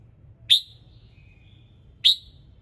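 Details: Red-whiskered bulbul singing in the morning, used to prompt other birds to sing: two sharp, bright chip notes about one and a half seconds apart, with a faint thin whistle between them and low background rumble.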